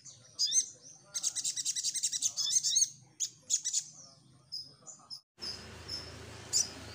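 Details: Energetic crimson sunbird song used to provoke a reply. A long run of rapid, high-pitched twittering is broken by separate thin notes, then steady background hiss takes over after about five seconds with one faint chirp.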